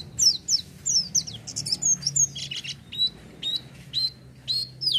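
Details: Oriental white-eye singing vigorously (gacor) without doping supplements: rapid high, thin chirps and downward-sliding whistled notes, several per second, some short buzzy bursts, against a faint low background rumble.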